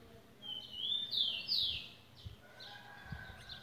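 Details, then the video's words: Loud, slurred, rising-and-falling whistles from a tui over a steady hiss of background noise, with a few fainter whistled notes trailing off and occasional low knocks. "tui tui de luxo"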